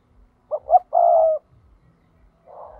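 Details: Spotted dove decoy call for trapping, in the 'thúc' style: one low phrase of two quick rising notes then a long, husky, slightly falling coo, followed by a soft faint note.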